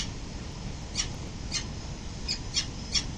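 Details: Peregrine falcon mother and father arriving at their nest on a building early in the morning, 22 November 2024; five separate harsh, brief call notes spaced about half a second apart over heavy low city rumble.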